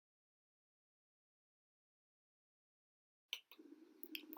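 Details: Silence for over three seconds, then faint clicks, a low hum and a sudden loud noise at the very end, with no animal voice.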